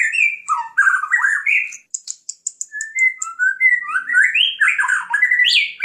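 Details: Murai batu, the white-rumped shama, in full lure song: varied whistled phrases sweeping up and down, then a rapid run of short high ticking notes, then more fluting rising slurs.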